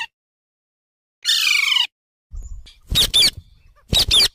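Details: Parrot, or tota, giving a long harsh buzzing screech, then after a pause two loud double squawks about a second apart.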